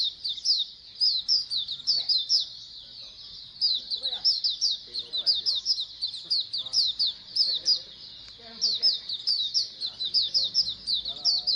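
A flock of Oriental white-eyes in a constant, thin high-pitched chatter of quick chirps and twitters, with faint low murmuring underneath.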